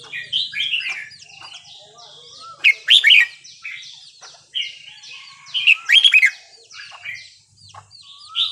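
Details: Burmese-style 3-4-5-6 song of a red-whiskered bulbul for training young birds: two loud, fast chirped phrases about three seconds apart, set against a dense chorus of repeated slurred notes from other birds.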